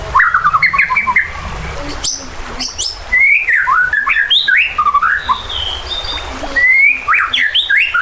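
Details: Agitated white-rumped shama, its song used to rouse other birds to fight and sing, with nature sounds and river flow; a dense, energetic stream of varied whistles, sharp upward sweeps and warbled notes in quick succession.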